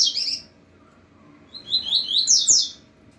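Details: Double-collared seedeater singing while set face to face with another of its kind: a brief high trill opens, then a pause, then a rapid run of sharp high chirps and twittering notes rising to a bright burst.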